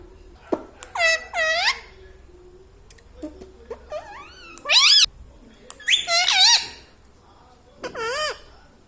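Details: Indian ringneck kept as a talking pet, laughing. Harsh, arching voice-like squawks come in separate bursts, some doubled, with quiet clicks and low room hum between them.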